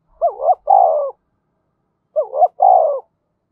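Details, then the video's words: Decoy spotted dove cooing quickly to stir up wild doves: two identical phrases two seconds apart, each a short doubled note then a longer even coo, in clean silence. "Chim Cu Mồi-cu gay kich boi nhanh noi gù"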